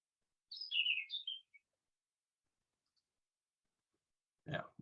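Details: Warbling Vireo in Maine, filmed during a 2021 Big Year, giving one quick, rambling warble of slurred high notes lasting about a second, followed after a pause by a brief low thump or voice.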